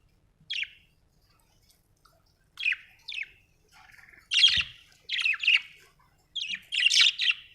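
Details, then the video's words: Budgie giving short scratchy chirps at first spaced by pauses, then denser buzzy bursts of chattering notes toward the end, with a faint thump in between. "Budgie chirping sound"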